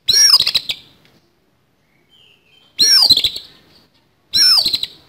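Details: Oriental magpie-robin fighting song, harsh and coarse: three loud raspy bursts of sweeping whistles and rapid clicks, separated by long silences with a brief faint chirp.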